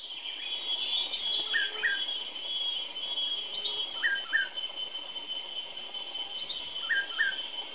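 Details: A White-breasted Wood Wren (Henicorhina leucosticta) at Hotel Tinamu, Manizales, sings three short whistled phrases about three seconds apart, mixing high clear notes with lower paired notes, over a steady high insect hum.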